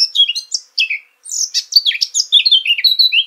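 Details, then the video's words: A continuous, rich warble from a Eurasian blackcap, mixing scratchy twitters with clear, descending flute-like whistles in a fast flowing sequence. Only a short pause breaks the song. "Vogelstimmen: Die Mönchsgrasmücke - Blackcap - Sylvia atricapilla"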